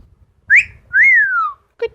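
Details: Pet female Amazon parrot indoors, whistling two clear notes, a short rising whistle then a longer one sliding slowly downward, followed by a brief raspy note; owner praises her between sounds.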